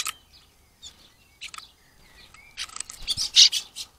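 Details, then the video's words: European greenfinches on 18 April 2022: scattered short chirps and a thin rising whistle, then a dense burst of loud, harsh twittering and buzzy notes. "Jetzt haben die Grünfinken das sagen"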